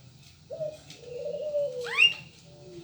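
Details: Local turtle dove (burung puter) uttering one soft, sustained low coo that gently falls, interrupted near its end by a single sharp high chirp from another bird.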